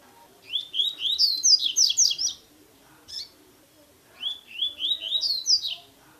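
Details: Captive-training recording of a double-collared seedeater in tui tui song: a fast chain of swept, slurred notes rising in pitch, a lone short note, then the phrase begins again.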